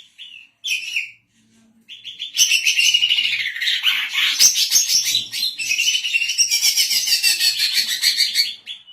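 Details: Female greater green leafbird in captivity in Indonesia, used for tutoring other birds and luring; a few short whistled notes, then a long, loud, busy outpouring of high twittering and scratchy warbles.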